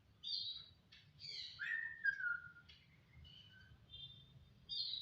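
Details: Jalak starling singing short high chirps followed by a descending slurred whistle. Softer level whistled notes come next, then a sharp high chirp at the end. A faint low background hum runs throughout.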